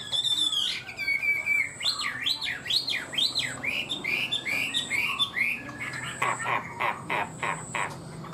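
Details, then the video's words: Hwamei singing high and steadily: a series of looping, swooping whistled notes repeated in quick succession, followed by a run of sharp, evenly spaced clicking notes, over a faint constant high tone. "Chim họa mi hót cao cầu, ra mỏ nhanh ổn định"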